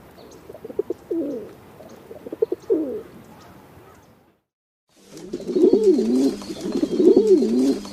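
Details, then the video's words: Pigeon cooing in two separate passages split by a short silence; the first is softer with wavering low coos, the second louder with looping, bubbling coos and a faint hiss. "Голуби курлыкают, звуки голубей"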